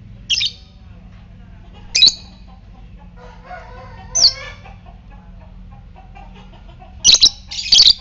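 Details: Fighter lovebird producing ngetik calls as a lure for ngekek in other lovebirds: scattered short, shrill chirps, a soft warbled twitter in the middle, then a rapid cluster of loud chirps at the end.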